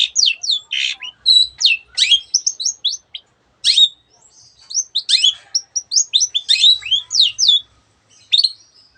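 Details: Long-tailed shrike in full voice, its song full of borrowed bird sounds: a busy medley of chips, sliding whistles and raspy notes in short bursts with small gaps.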